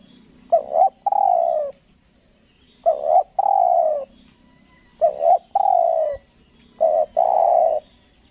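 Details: Spotted dove decoy from Lombok kept for trapping wild doves, cooing in the stuttering 'nguku gagap' style: four phrases of two quick broken notes then a drawn-out, gently descending coo, spaced roughly two seconds apart.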